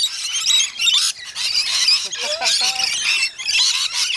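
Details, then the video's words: A crowd of rainbow lorikeets at a feeding session on Magnetic Island, Queensland, Australia, screeching shrilly and without pause, a harsh chattering chorus with a few lower squeaks beneath. "Lorikeet Feeding Frenzy"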